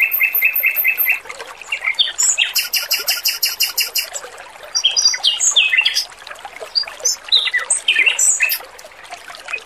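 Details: Trickling water behind a male Pekin robin's lively song: a row of evenly repeated chirps, a high ringing trill, then scattered sharp whistles and quick warbled notes.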